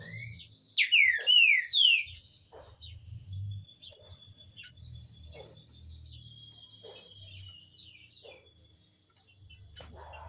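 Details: Green-winged saltator singing a song used for teaching young birds: a few loud, rich whistled phrases sliding downward near the start, then quieter high chirps and trills from other birds, with a low background rumble.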